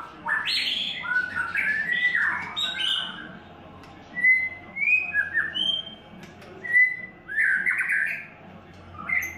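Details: White-rumped shama in its third molt giving an "Imagine" style song: a burst of rich mixed notes, then spaced clear whistles, some level, some rising, separated by short silences, ending with a jumbled phrase.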